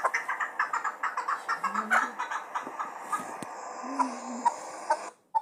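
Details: Chukar partridge from Muminobod, described as a fine hunting partridge, giving a steady run of short clucking notes about two per second. The notes are fairly quiet, with faint human voices in the background.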